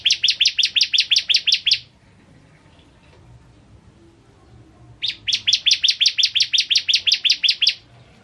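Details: Bar-winged prinia (ciblek kristal) singing actively, recorded as a master song: two bursts of rapid, sharp, high chirps, about five per second, each burst lasting nearly two seconds, separated by a quiet pause.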